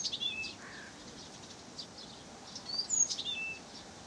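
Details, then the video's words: Blyth's reed warbler singing in Pavlodar: high, scattered whistles and thin clicks, short sliding notes and a brief lower burr, delivered in an uneven rapid stream over faint background hiss. "НА КОНЦЕРТЕ САДОВОЙ КАМЫШЕВКИ"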